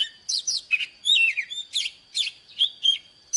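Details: Oriental magpie-robin, an old wild bird, singing in the morning for training caged birds. Separate loud, sweet whistled and buzzy notes, roughly three per second, varied in pitch and sharply slurred.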